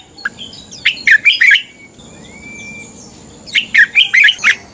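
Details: Red-whiskered bulbul fighting song, used as a lure to train birds and push them to sing in the morning: two bursts of quick, warbled, chirpy notes about three seconds apart, a thin rising whistle between them, over a steady high background tone.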